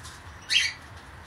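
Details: A young blue monk parakeet, a female pet bird, calls from her temporary cage during her first days indoors. She gives one short, harsh, buzzy squawk, sliding downward, against a quiet room.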